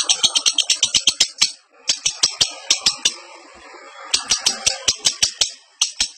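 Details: Lovebird in breeding condition, from a training recording for cage birds: rapid dry clicking chatter in fast bursts of bright high notes, about three per second, with short pauses between runs and faint background noise.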